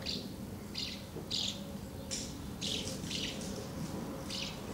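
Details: House martins at their nests on 24 August 2012, busy feeding young; a few scattered, rasping chirps sound roughly every half second to second over a steady low background hum.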